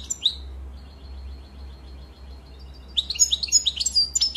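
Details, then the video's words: European goldfinch giving a single sharp chirp, then a faint thin note, before a fast burst of tinkling twitters in the last seconds; low hum throughout. "Très beau Chant"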